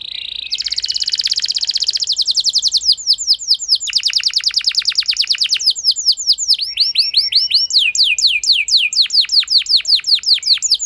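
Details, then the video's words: Canary lure song for prompting a quiet canary to answer and sing long; a continuous high trill followed by many quick, evenly repeated downward-swept notes, changing speed and pitch across the phrase. "Pancingan Ampuh Bikin Gacor Kenari Kurang Emosi! Jadi Gacor Panjang"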